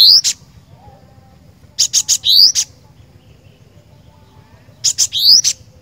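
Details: Cinereous tit singing 'gacor' style: three high, bright phrases, each a quick run of sharp chips with a rising whistled slide, separated by pauses of about two to three seconds of near silence.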